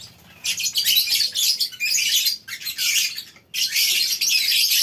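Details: Lovebirds massed in a colony aviary on a farm, morning: after a quiet start, three loud bursts of shrill overlapping chirps and squeaks from many birds, split by short pauses.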